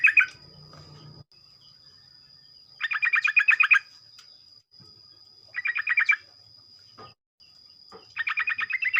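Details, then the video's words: Sooty-headed bulbul singing in the morning in rapid 'ropel' style, used to lure other bulbuls into singing: buzzy, fast-stuttered phrases about one second long, repeated every two to three seconds, over a steady high electronic whine and a low hum. "ocehan trucuk pagi hari, merangsang trucuk lain ikut bunyi ropel"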